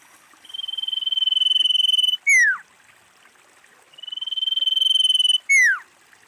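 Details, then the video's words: Common iora female calling to attract others of its kind: a sustained even trill of rapid pulses broken off by a clear descending whistled note, given twice. "SIRTU/CIPOH GACOR Suara Paling Ampuh Untuk PIKAT & PANCINGAN Semua cipow langsung nyaut"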